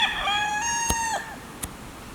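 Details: Homestead rooster gives a sustained, level, strongly harmonic crow lasting over a second, which then fades out, followed by two sharp clicks in the quieter remainder.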